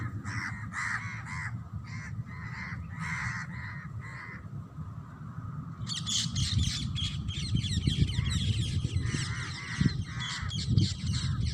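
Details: Parrots in nature giving harsh grating squawks in short repeated bursts, later joined by a dense chorus of rasping chatter over a low rumbling background.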